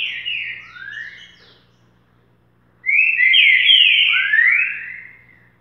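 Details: Green-winged saltator giving its boca mole song, two bright whistled phrases of smoothly sliding, downward-curving notes, the second long and full, with a quiet gap between.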